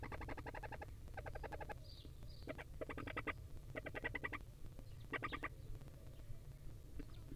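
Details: Barn owl chicks, wild, being fed by the female: a series of short nasal, rasping bursts, each under a second and separated by brief pauses, plus a few high squeaks over low background rumble.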